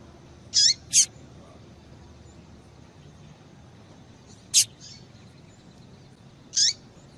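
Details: Female double-collared seedeater call used to make males sing; a pair of quick high chirps, then single sharp notes roughly every two seconds, quiet hissy background.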